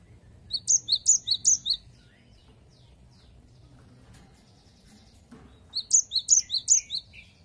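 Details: Gelatik batu, the cinereous tit, gives two runs of 'wucit wucit' song. Each run is about six quick, high, whistled notes swinging between a lower and a higher pitch, with a quiet pause between the runs over soft background hum.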